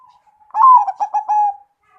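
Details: Big-voiced ('suara gede') zebra dove delivering one short, clear coo phrase: a strong, slightly falling first note, then three or four rounded, pulsed coos ending in a longer, held tone, in otherwise quiet surroundings.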